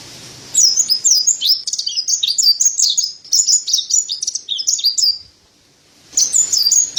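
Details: Mountain white-eye (white-breasted white-eye, Montanus) singing a hurried, high twittering phrase of slurred whistles that lasts about five seconds. After a short silence, a new burst of chirps begins.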